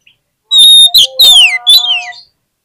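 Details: Oriental magpie-robin song played as a lure to stir lazy birds into singing and answering; loud, sharp whistled notes, a steady high whistle, then several quick descending slurred whistles, with a low humming tone underneath.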